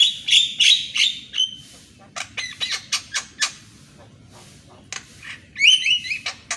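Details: Javan myna in morning song, played to coax silent mynas into singing: a loud squealing whistled phrase, then a run of sharp dry clicks and rasps, ending in a high rising squeak.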